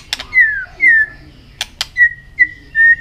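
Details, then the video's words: White-rumped shama, a caged bird stirred to sing in contest while flicking its tail, gives a run of clear whistled notes, each a short slurred phrase, some falling, some level, with sharp clicks between them. "chòe lửa hót đập đuôi liên tục,kích chòe lửa hót đấu căng lửa sổ nhiều giọng"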